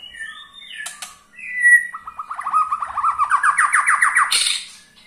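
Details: White-rumped shama ketrekan call, used to rouse other shamas into song: a few whistled notes, then a rapid rattling chatter of evenly repeated pulses that climbs in pitch and ends in a harsh burst.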